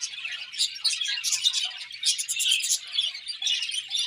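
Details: Morning chirping from pet budgerigars: continuous high, bright twittering with rapid buzzy trills, several birds overlapping in lively, unbroken chatter.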